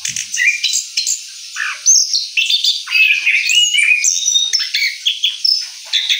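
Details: Orange-headed thrush, recently finished moulting, in rolling song: an energetic stream of high chirps, downslurred whistles and buzzy notes strung together without gaps.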